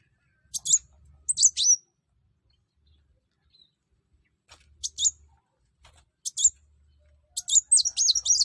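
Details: Sunbird in full song, used to get other birds singing: sparse bursts of very high, thin chirps and short downward-sweeping whistles in three separate clusters with quiet gaps between, faint low rumble underneath.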